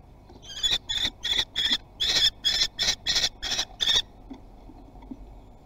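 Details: Common kestrel young exercising their wings at Théding, France, 24 June 2020: a rapid series of about ten harsh, shrill, strongly ringing notes over three seconds, then quiet with faint rustles.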